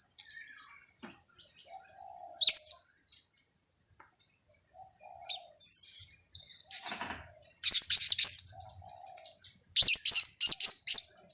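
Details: Trapping lure of blue-crowned hanging parrot calls. A quiet opening gives way to bursts of shrill, very high chirps and twitters, louder and denser toward the end, with a thin steady whine behind.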